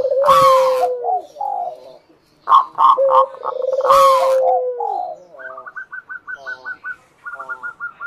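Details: Lure song of local zebra doves for prompting other doves to call: drawn-out low coos broken by harsh noisy bursts, then rows of quick, clipped higher notes repeating near the end.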